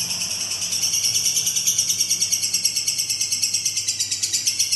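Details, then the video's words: Lovebird giving a long-duration ngekek song: a continuous, shrill, high-pitched chattering trill of rapid buzzy pulses, roughly three a second, sustained throughout without a break. "Love bird durasi panjang"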